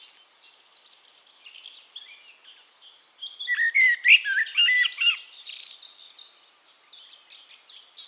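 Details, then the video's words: Eurasian blackbird in song at Castricum, the Netherlands: after soft background chirps from other birds, a loud fluted phrase of clear whistled slurs closes with a squeaky flourish. "One Hour Relaxing Birdsong: Blackbird"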